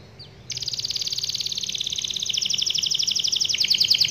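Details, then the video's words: Canary singing a long rolling song meant to prompt other canaries to sing: after half a second of quiet, a fast trill of rapid high notes repeated steadily and growing louder to the end, with a faint low hum beneath. "KENARI GACOR NGEROL PANJANG AMPUH BIKIN KENARI IKUT BUNYI"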